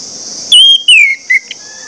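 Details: An orange-headed thrush sings to prompt others of its kind: two long whistles, the second sliding downward, then a brief clipped note, all over a steady high-pitched buzz.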